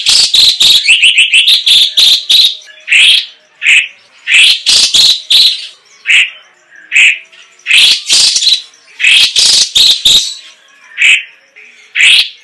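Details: Song of a straw-headed bulbul (cucak cungkok): rapid bubbling run of notes opening the clip, then loud rich phrases in bursts separated by short pauses, repeated several times over twelve seconds.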